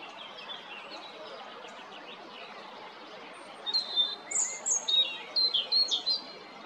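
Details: Song of a European robin at Jarun lake area, Zagreb, Croatia, 13 April: after a few seconds of faint notes, a burst of high, sweet, rapidly varied whistles and twittering phrases in quick succession.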